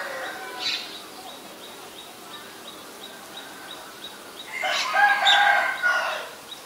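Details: Black-collared starling recorded in Ubon Ratchathani, Thailand, on 17 April 2022: a faint harsh note near the start, then a loud raspy, broadband burst of chattering calls lasting about a second and a half, over steady faint ticking in the background.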